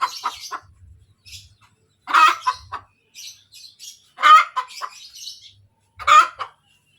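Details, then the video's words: Cackling of a hen that has just laid: loud coarse squawks with short cluck trains, separated by quiet pauses, and faint higher chirps in between. "SUARA AYAM SETELAH BERTELUR | AYAM BERKOTEK | AYAM BETINA BERTELUR"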